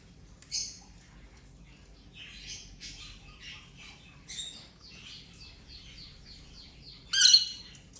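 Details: Rainbow lorikeet playing during a ten-day recovery from injury: sharp, harsh high screeches near the start, middle and end, with a run of softer scratchy chattering notes in between.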